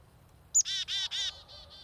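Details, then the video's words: Close and loud chickadee call at feeders: a piercing high introductory note, then three long rasping buzzy 'dee' notes and a couple of shorter, softer ones trailing off. "Chickadees at Feeders"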